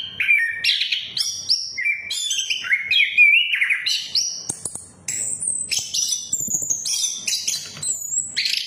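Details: Song of an orange-headed thrush used to coax other birds into singing: a long, continuous flow of varied whistled phrases, first mid-pitched and stepping up, then shrill high notes and trills, about three phrases per second.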